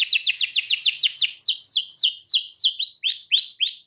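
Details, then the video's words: Young canaries' learning aid: a domestic canary sings rapid high descending notes, speeding up early then slowing into longer sweeping phrases and finally short arched whistles, about four to five per second, clean recording. "PANCINGAN BUAT KENARI PAUD BELAJAR NGELAGU DAN GACOR"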